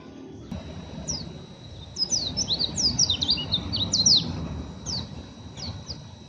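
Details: Rough ngeriwik chattering from an oriental white-eye not yet trained: a quick cluster of high, thin, sliding chirps bunched together for about two seconds, followed by a few spaced single chips over steady low background noise.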